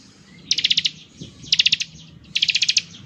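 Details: Bar-winged prinia singing the ngebren style, said to best prompt other prinias to reply: three short, dense, high trilled bursts of about six rapid notes each, separated by brief pauses over a low hum.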